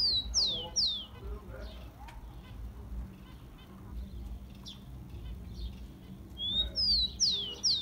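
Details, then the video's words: Song of a rufous-collared sparrow, used to excite caged birds: two sharp downslurred whistles open the clip, a few faint chips follow, and a second phrase with a rising lead-in note and falling whistles comes at the end. "CANTO DO TICO TICO"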